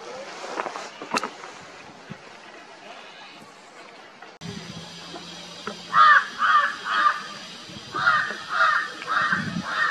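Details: Himalayan jungle (large-billed) crows call in winter in the middle Himalaya near the Jaonli and Gangotri ranges as a griffon vulture soars, giving runs of harsh, hoarse caws, about twice a second, over a breezy background.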